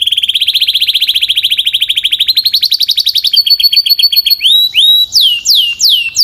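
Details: Canary singing a long rapid trill that gradually rises and slows, shifting into separate sweeping whistles toward the end.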